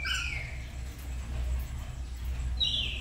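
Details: Pet black-capped lory (Lorius lory) at home in the morning, learning lively sounds, gives two brief, loud, slurred whistles that drop in pitch, one at the start and one at the end, over a steady low rumble.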